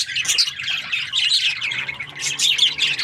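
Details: Short burst of Australian budgie chirping: clear squeaky notes and scratchy warbles from several birds, tumbling over each other rapidly.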